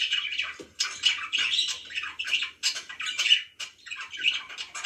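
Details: Pet budgies produce grating, squawky chirps in irregular bursts about once a second, with short quiet gaps between phrases.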